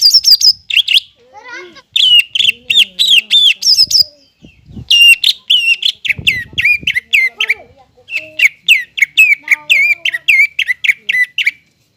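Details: A greater green leafbird kept in captivity sings a long, rapid series of ringing whistled notes, each sliding downward, delivered in steady bursts, with a few soft low warbled phrases in between.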